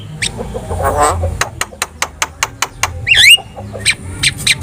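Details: Javan myna singing in lively gacor style: a steady run of dry clicks about four per second, a brief harsh note, then a sharp looping whistle and more scattered clicks.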